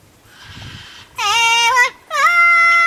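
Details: At night at the UK Parrot Zoo, a captive double yellow-headed amazon gives two sustained, slightly rising sung notes after a faint murmur, the second note held steady and clear.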